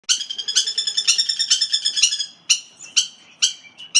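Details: Captive Ross's turaco, also called Lady Ross turaco or plantain eater, in an aviary. Loud, harsh, rich barking notes repeated rapidly about three per second, then slowing to single spaced notes.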